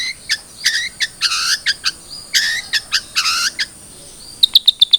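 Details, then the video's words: Cendet trotol (long-tailed shrike) played as a lure to prompt a captive bird to sing: rasping, harmonic bursts alternate with short sharp notes, ending in a quick run of high clipped ticks. "Pancingan Cendet Trotol Agar Cepat Bunyi"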